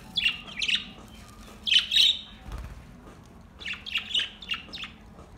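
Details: Budgies singing in relaxed mood: quick runs of warbling chirps and squeaky squawks in two bursts separated by a quieter pause with a soft low thump.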